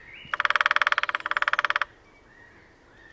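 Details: Early-morning display drumming by a lesser spotted woodpecker at Sandemar Reserve, Sweden, one of a territorial pair, taken with a parabola in sunshine: a long, rapid rattle of strikes for about one and a half seconds, then another roll begins.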